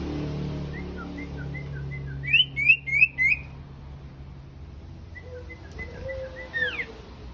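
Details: Sooty-headed bulbuls, male and female, sing soft spaced whistles, then three loud ringing notes in a fast run; a low dove-like coo and a final descending whistle follow.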